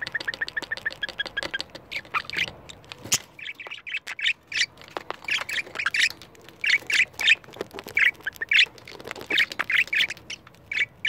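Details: A pair of caged pet budgerigars reacting to a camera, chattering in rapid rattling notes at first, then loud, scratchy, squawky chirps repeated irregularly with clicks and tapping.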